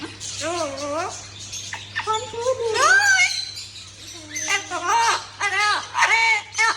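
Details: Arabic-speaking Amazon parrot producing human-like words, a run of bending, sliding syllables in short phrases, some nasal and rising, with a low constant hum behind.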